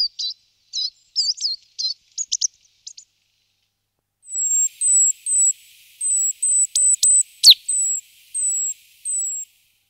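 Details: A great tit moving into a nest box gives a scatter of short, varied chirps. These are followed by a steady string of thin, level high whistles, each clipped and spaced about half a second apart, with a sharp downward flick partway through.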